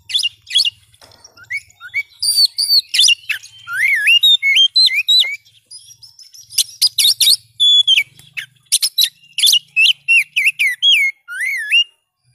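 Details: Oriental magpie-robin (kacer), recorded to help a silent caged bird sing again, pours out a long, energetic song of sweeping whistles, slurred loops and harsh chattering notes in rapid bursts.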